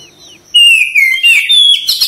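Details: Singing Oriental magpie-robin (kacer), tail fanned: after brief quiet, a bright whistle sweeps downward, then rising and falling whistles follow with a harsh scratchy burst at the end. A faint steady high tone runs in the background.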